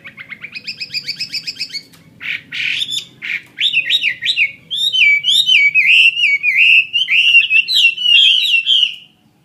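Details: Caged Chinese hwamei of the fighting type, opening with a steady series of thin repeated notes, then harsh bursts, then a long flowing run of fast, looping whistles rising and falling without a break.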